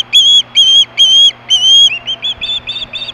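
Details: Osprey at Hellgate in 2014, roughly 3, screaming for fish at 4:19 PM: four loud, drawn-out piercing whistles, slightly arched, followed by a run of shorter, softer, quicker chirps trailing off.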